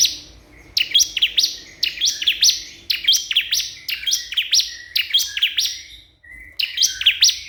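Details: Crystal prinia calling a rival with steady repeated phrases of high, sharp, buzzy chirps, about one phrase per second, a brief gap near the end, and faint low background hum.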